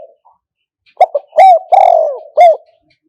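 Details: Spotted dove kept as a decoy for trapping wild doves with a traditional trap enclosure, cooing: a faint soft note, then a loud burst of short throaty coos and one long, drawn-out, slightly falling coo, ending in a final sharp coo.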